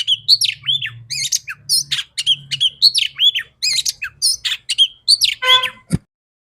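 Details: Female Oriental magpie-robin singing to stimulate males into song: loud, varied phrases of sharp whistles, chirps and slurred notes in rapid bursts, ending in a harsher buzzy note and a click, with a faint low hum behind.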